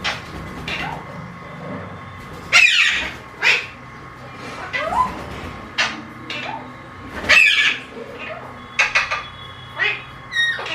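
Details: Talking Alexandrine parakeet close by, uttering loud, rasping, voice-like bursts and short harsh squawks in an irregular series, roughly one every second, with a faint steady hum underneath.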